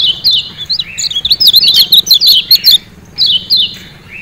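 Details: Lemon-bellied white-eye of Lombok in a ciak ciak burst: a fast, jumbled string of high, wavering chirps and ticks for nearly three seconds, a short pause, then two more descending chirps.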